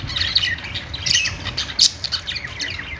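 Budgerigar warbling in a fast, scratchy stream of high chirps, squeaks and short whistles, with a low background rumble.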